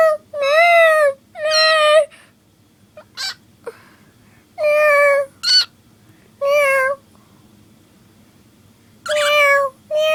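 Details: Cockatiel kept as a pet, copying a cat's meow. Drawn-out, harmonic meows are mixed with short sharp chirps, in several bursts separated by quiet gaps.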